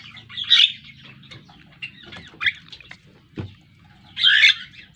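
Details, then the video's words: Javan myna, a black bird with a yellow bill kept as a pet and learning to sing, utters grating squawks and a brief whistle, with a dull thump midway and low background hum. "Suara Burung Jalak Kerbau / Kebo....Belajar Gacor..."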